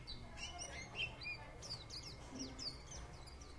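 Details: White-eye twittering: a fast chatter of thin, high, sweeping notes, some rising and some falling, delivered irregularly in a continuous warble against a faint background hum.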